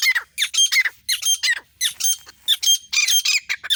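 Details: Grey francolin female from India giving loud, grating squawky notes, each burst a quick run of harsh syllables repeated about every half second; nothing else stands out.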